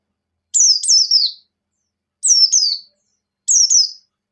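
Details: Pleci buxtoni white-eye in breeding condition, singing the ngecir style joined with ngalas: three phrases about one and a half seconds apart, each a pair of high whistled notes sweeping downward, otherwise quiet.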